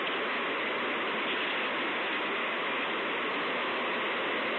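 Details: Steady broadband rushing noise, like a waterfall or stream, fills the whole recording with no animal voice heard.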